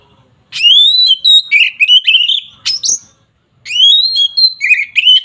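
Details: Agitated Oriental magpie-robin, 'ngeplong' fighting song used to stir up rivals: long rising whistles followed by quick chattering warbles, two loud runs split by a brief silence.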